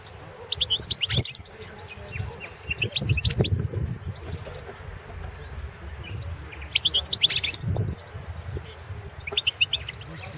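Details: Singing Balkan goldfinch, Carduelis carduelis balcanica, entered in the 2017 World Championship in Goldfinch Song in Serbia: several short bursts of high, fast twittering separated by pauses of a few seconds, over low rumbling background noise.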